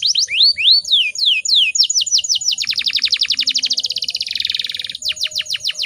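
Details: Female canary in breeding condition, used as a lure to provoke males into singing: curved rising whistles, then fast even trills of sharp downslurred notes and a dense buzzy roll, ending in quick repeated chips.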